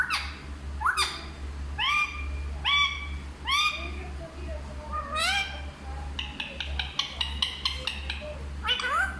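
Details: A Hindi-talking parrot utters a string of short, harmonic, upward-sweeping syllables about once a second, then a rapid burst of clipped, clicking sounds near the end, with constant low background hum.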